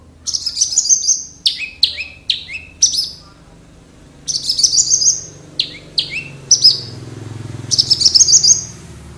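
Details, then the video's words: Captive Wates-strain Horsfield's bush lark from Java singing strongly: phrases of sharp downslurred high notes and short trilled flourishes, with clear pauses between bursts, over a soft low hum in the background. "Branjangan Wates Gacor Dor - Branjangan Javanica"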